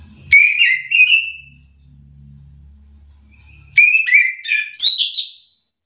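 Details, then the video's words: Orange-headed thrush lure song, said to rouse lazy singers of its kind into answering. Two warbling whistled phrases come about three seconds apart, with a soft low hum in between. "Hitungan detik anis kembang malas bunyi langsung emosi ikut bunyi sahut sahutan"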